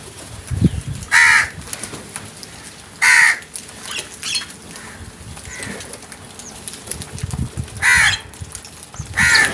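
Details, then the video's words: Several crows calling while attacking food: loud harsh caws with broad, ragged tone, four separate bursts spaced a few seconds apart over low rustling background. "Number of Crows Brutal Attack on Food | Crows Sounds"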